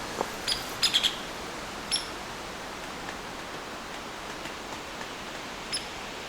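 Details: An agitated Hairy Woodpecker, still pecking, gives an alarm warning others such as chickadees of a possible predator: a quick burst of sharp high notes, then isolated single peeks over steady hiss.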